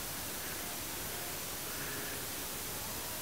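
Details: Steady broadband hiss like static fills the whole recording, with no other sound.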